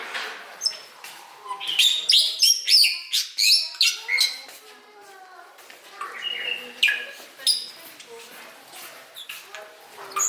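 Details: Bali starling giving a dense, chattering song: rapid harsh clicks and squeaky whistled notes packed together for about four seconds, then sparser scratchy notes and short whistles with a quieter gap.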